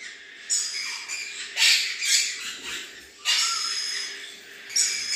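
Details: Adult male red-collared lorikeet kept at a bird farm, giving harsh, shrill screeches in several bursts, with a steady background hum throughout.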